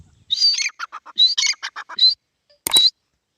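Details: Grey francolin, the local teetar, giving a short burst of loud, shrill, clipped notes with grating accents, followed by a brief pause and one final sharp phrase.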